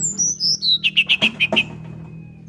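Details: Brown-chested jungle flycatcher singing in flute-like 'nyuling' style with open beak, to lure other birds to sing: high whistled notes stepping downward, then a quick run of six short bright whistles, fading to quiet hum.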